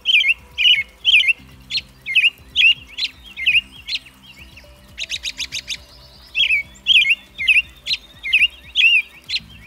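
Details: American robin singing a steady series of short, clear warbled phrases, about two per second, with a brief burst of harsher rapid buzzy notes midway before the caroling resumes; faint low tonal hum underneath.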